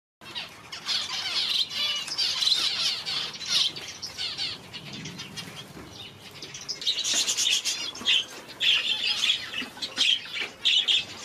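Parrot finches give thin, high, buzzy chirps and squeaks in irregular bursts, several birds calling over each other, with soft fluttering in between.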